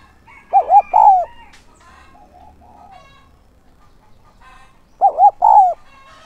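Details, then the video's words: Decoy spotted dove in 'son' voice, urging and calling to attract wild doves: two three-note coo phrases about four seconds apart, two short notes then a long falling coo, with clucking fowl and other birds in between. "Chim cu gáy mồi giọng SON chuẩn THÚC và GÁY GỌI kích bổi nhanh nổi hiệu quả"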